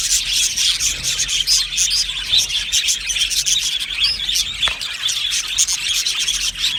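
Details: Happy budgerigars chirping together in an aviary, an unbroken mass of high, quick tweets and warbles from many birds, with one short sharp note standing out near the end.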